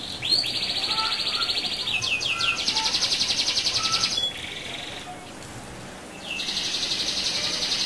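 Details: Canary singing a rolling song used to provoke other canaries: loud buzzy trills and sustained rolled notes, a quieter lower passage midway with a brief pause, then the fast buzzing roll resumes.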